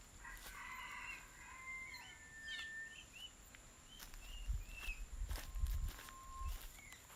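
A bird gives a drawn-out, rough, crowing note, then short chirps and a thin level whistle, over low rumbling background noise and a few thumps.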